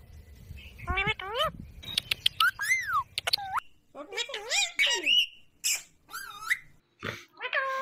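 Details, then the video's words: Pet talking parrot indoors, a string of swooping, harmonic voice-like phrases with rising and falling tones, mixed with short clicks, sharp chirps and brief gaps. "The Best Talking Parrot"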